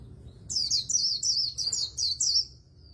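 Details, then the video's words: Rapid líu warbling from an Oriental white-eye in a super-fast fighting style: around seven high, sweeping whistled phrases packed closely together over a low background hum. "Luyện Giọng Vành Khuyên Líu Đấu Siêu Nhanh | Khuyên Líu Kích Bổi | Khuyên Líu Giọng Chòe Chuẩn"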